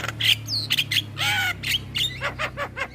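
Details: Harsh squawks and short whistled notes from a male Javan myna, used as a lure for starlings, delivered in uneven bursts over a steady low hum.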